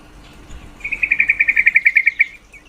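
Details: Female yellow-vented bulbul calling to excite males' mating drive: a fast, even rattle of some fifteen sharp notes lasting about one and a half seconds, fading at the end.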